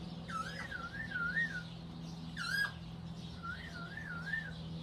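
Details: A rescued African grey parrot newly joined to a sanctuary flock; wavy whistled phrases rising and dipping in smooth loops, interrupted by a sharp harsh click-like squawk, with a steady low hum behind.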